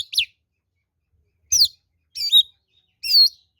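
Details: An oriental magpie-robin's fighting song, offered as a lure to rile up others: four separate bright, whistled phrases spaced about a second apart, each sweeping sharply downward or wavering, with silence between.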